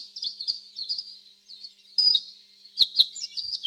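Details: Canary giving short, thin whistled chirps and a brief pure tone, sparse and high, with two sharp clicking sounds near the end.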